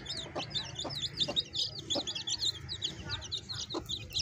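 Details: Baby chicks with a hen: a dense chorus of high, thin peeps, many overlapping, that slur up and down. Low, short clucks sound at intervals underneath.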